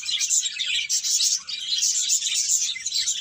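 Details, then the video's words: Bright, thick twittering from numerous birds, a constant shimmer of quick high chirps with no pauses. "Cute Birds Chirping Sounds"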